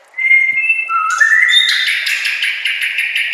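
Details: Shama master song for training other white-rumped shamas, with nature sounds and trickling water; level whistled tones stepping upward, leading into a sustained rapid pulsing trill.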